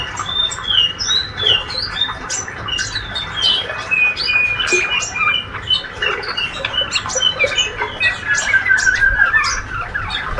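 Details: Energetic ngriwik chattering from a young, healthy male white-rumped shama: high squeaks and quick upslurred whistles about three per second, irregular, with a thin sustained whistle midway and steady low hum.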